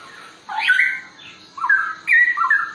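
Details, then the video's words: Straw-headed bulbul song, three short loud bubbling phrases with sweeping whistled notes, separated by brief gaps, with a faint background hiss. "Cucak rawa cucak rowo suara mewah ropel hutan nggulung"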